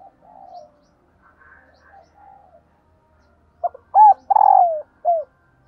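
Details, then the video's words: Faint soft murmurs give way to a single loud cooing phrase from a female dove calling to stimulate males: quick short notes, a long vibrating downslurred purr, and a last short coo. "Tiếng Chim Cu Mái kích Trống Hiệu Quả"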